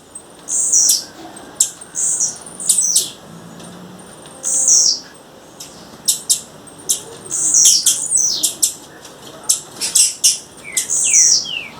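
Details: Wild female blue-black grassquit giving repeated short, high, buzzy chips and sharp clicking notes, spaced unevenly at first, then crowding together in a rapid scratchy series.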